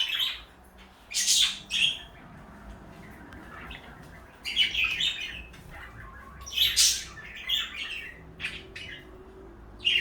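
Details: Two pet parakeets, a blue one and a light yellow one, call in clustered bursts of high, twittering and buzzy chirps separated by short silences, across about ten seconds.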